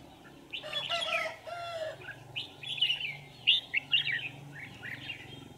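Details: Red-whiskered bulbul used in decoy trapping, 27 November 2018: a rustling, flutter-like burst, then a run of lively, clipped whistled phrases repeated in quick succession over a low background hum.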